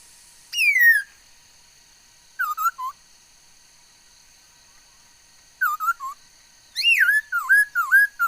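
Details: Laughingthrush singing on 13 August 2021: a loud falling whistle, then two trios of short warbled notes, ending in a run of quick rising-and-falling whistled phrases.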